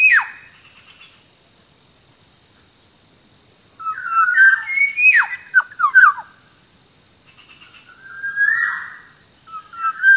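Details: Lure sound of the Black-naped Oriole for wild birds: a brief harsh note, a long quiet gap, then a burst of fluty whistles with sharp, descending swoops, and a later mellow whistled phrase, all over a steady faint high tone.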